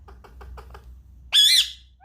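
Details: Indian ringneck parakeet kept indoors as a pet, eager to play with an iPad, gives one loud harsh squawk after a run of five soft clicking taps, with a woman talking to it in a small room.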